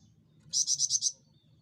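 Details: Javan fulvetta, a small insect-eating bird with a loud voice, delivers five strong, high, evenly paced whistled notes, each clearly separated.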